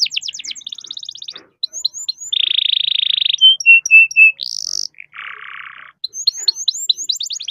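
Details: Canary in full long song, used to coax other canaries into singing; rapid trills alternate with a steady buzzy roll, clear separate whistles and a lower rasping burst, then quick upward notes.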